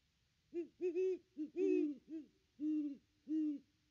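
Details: Great Horned Owls, a pair at the nest tree on Christmas Day 2021, recorded by a nest cam: about eight low hoots, short quick notes at first, then slower, longer ones.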